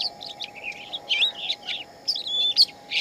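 A shama sings varied, rich whistled phrases, some rising and some fluttering, in quick bursts; a steady low hum runs underneath.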